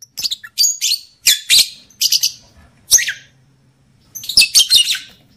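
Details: Lovebird hen chatter to bring on breeding condition: clipped, shrill chirps in quick clusters, a pause, then a closing rapid run of scratchy notes, faint hum beneath.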